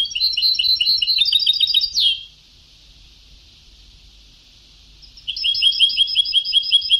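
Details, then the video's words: Old Sebtawi-style recording of a European goldfinch singing fast, repeated high twittering phrases that end in a sharp slur. A quiet buzzy stretch follows before lively chirping trills resume. "Canto del jilguero antiguo شريط تغريد سبتاوي قدييييييم"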